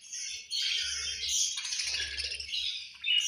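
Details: Angry budgerigars chirping at lunch time; after a brief quieter start, a loud burst of dense, scratchy twittering and squeaky calls fills the rest, with soft low thuds underneath.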